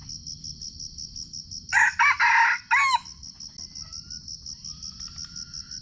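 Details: Wild red junglefowl in Sumatra, being lured during trapping and recorded on a GoPro, gives a harsh, broken crow of about four rapid bursts lasting a little over a second, over a steady, high pulsing insect chorus.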